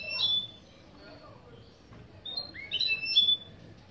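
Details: Goldfinch × canary mule singing intro phrases of its song, a lesson of styles such as piçüvi piçüvi, cibili cibili and velisvelis: a short bright twitter, a pause, then rising sliding whistles and sharp high notes.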